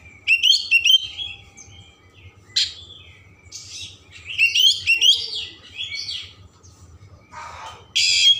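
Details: Oriental magpie-robin in energetic varied song intended to rouse emotion and tail opening: rapid twittering trills, abrupt harsh bursts and bright whistles separated by short pauses, faint hum below.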